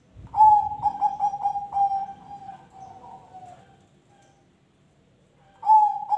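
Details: Zebra dove (perkutut) singing a long phrase of stuttered coos that gradually soften and slow into a fading drawn-out note. Several seconds of quiet follow before another loud phrase starts.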